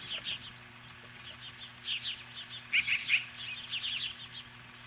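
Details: An osprey at its nest in Hellgate Canyon, Lolo, Montana, faces off with magpies on the morning of July 15, 2015. It gives a steady chatter of high chirps that peaks in a sharp three-note burst midway.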